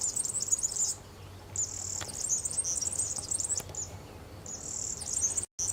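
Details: A wild European serin sings at Santo Tomás, Zamudio, Bizkaia, on 6 May 2018, a very high, fast, jingling and buzzy tinkling song in one-to-two-second bursts with short pauses between phrases.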